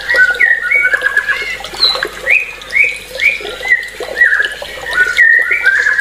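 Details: Songbird repeating short slurred whistles about once per second, mostly at a similar middle pitch, with background hum.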